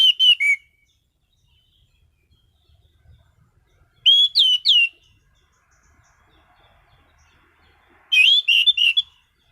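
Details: Singing caged orange-headed thrush repeating loud short bursts of fast whistled, down-slurred notes roughly every four seconds, quiet in between apart from faint low knocks.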